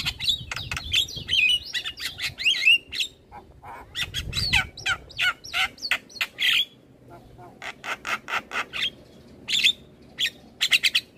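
A Javan myna sings a fast jumble of harsh, scratchy bursts and squeaky whistles, each note short, with brief gaps, over a quiet background.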